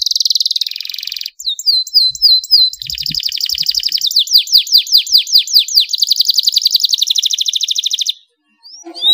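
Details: Canary singing to encourage other canaries into song: a sustained buzzy trill, a run of sharp, hooked, whistled notes, then rapid rolling trills of repeated slurred notes, ending in a short silence.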